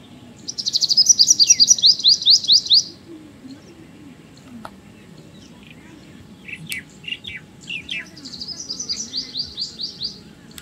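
White-throated kingfisher giving two shrill, rapid chattering trills, high and metallic, separated by a few sharp chirps, over a low rumbling background.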